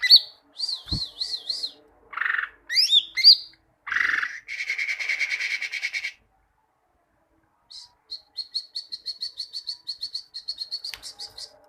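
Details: Cucak ijo, the greater green leafbird, singing a varied high song for tutoring caged birds: looping whistles, harsh buzzes, a long rattling trill, then a fast run of thin repeated chips.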